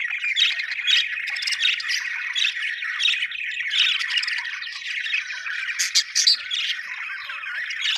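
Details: Happy budgerigars chattering together in a dense, unbroken stream of scratchy warbles and squeaky chirps, with sharper bright squawks bursting out around the sixth second and no other sounds.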